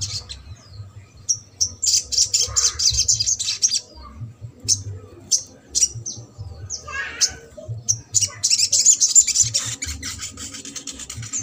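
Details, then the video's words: Crimson sunbird in trotol style, played to stir silent or lazy sunbirds into singing: very high thin chirps and buzzy trills in bursts, separated by brief pauses, over a steady low hum. "SOGON TROTOL INI MERANGSANG UNTUK SOGON MACET"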